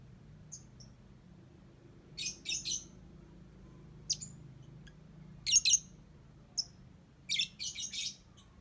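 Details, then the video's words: Lovebird singing in clusters of shrill, scratchy chirps, some doubled, repeated every second or two and ending in a denser run of squeaks. "Love Bird Cantik Pinter Nyanyi"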